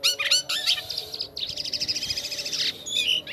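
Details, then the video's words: A jalak kapas starling sings gacor with scratchy chirps, then a long, dense, buzzy rattling phrase, ending with short whistled notes. "JALAK KAPAS KALAU SUDAH GACOR MANTAP JUGA"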